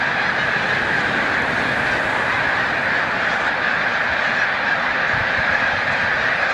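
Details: Snow goose flock on migration at Montezuma, New York, on 7 March 2022. A thick, rumbling roar of innumerable overlapping honks, almost like a continuous hiss of voices.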